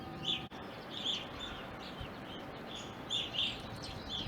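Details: Evening grosbeaks at a backyard in Ohio, wintering and staying into April 2021: short, clear chirps in loose clusters, a sharp click early on, over low background noise.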